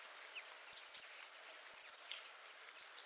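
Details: A Hazel grouse gives an autumn whistle near Elno village, Novgorod oblast, Russia, on 20 September 2018: a long, very high, thin whistle drifting slightly downward, with a few short higher notes before and after, in quiet surroundings.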